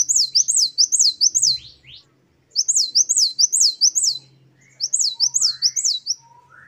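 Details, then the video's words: Great tit in the 'wucit-wucit' song style, singing actively: three bursts of four to five quick, high, rising whistled notes, each burst separated by short pauses, with softer lower whistles from another bird in the gaps. "Gelatik batu gacor | Glatik Wucit2 10 variasi Masteran Gelatik Gacor | Parus Major."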